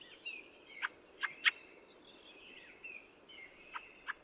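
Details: Close Fieldfare (Turdus pilaris): squeaky, buzzy chattering song with harsh chack notes, three early and two at the end, set in the flowing phrases.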